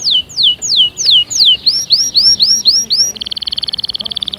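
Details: Canary song made of steep downward-sliding whistles, about five, followed by brighter upturned notes. It ends in a very fast, even, high trill that sounds like a tinkling rattle.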